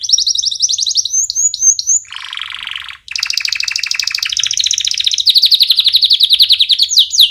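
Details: Canary song for training chicks: quick high sweeping notes, a lower harsh buzzy burst, then dense fast trills that shift pitch and end in a strongly pulsed rolling phrase.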